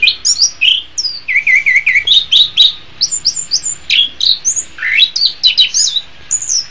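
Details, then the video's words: Orange-headed thrush in a master song recording: continuous lively song of varied whistled slurs, trills and high squeaky notes delivered rapidly for several seconds. "Masteran Suara Anis Kembang"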